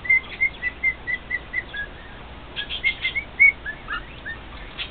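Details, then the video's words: Male cockatiel kept as a pet, singing to two other cockatiels: loud clipped whistled notes in a fast series, a short pause, then more whistles mixed with brief rustling noise. "Maui's Serenade"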